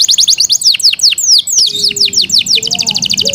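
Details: Loud song from a Yorkshire canary cared for at home: quick descending whistled strokes repeated several times a second, shifting to a tight rapid pulse of short notes near the end.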